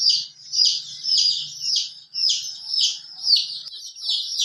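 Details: Chicken, a hen with colorful chicks: loud, high, slightly descending peeps repeated roughly twice a second in a steady series, with a faint low hum in the background.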